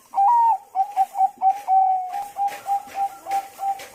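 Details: Zebra dove of Bangkok type in lure song to set off other doves: a long rising opening coo, then spaced soft clipped notes and a long steady note, over light background hiss.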